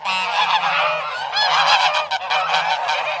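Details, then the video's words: Goose honking loudly and repeatedly, rich nasal calls about once a second, backed by other geese cackling nearby and a low steady hum. "Гусь голос . Қаз дауысы"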